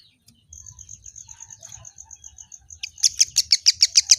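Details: Kemade bird giving a long string of thin, even, high whistled notes, then a fast run of loud, sharp chirps repeated about five times a second; faint low rumble in the background.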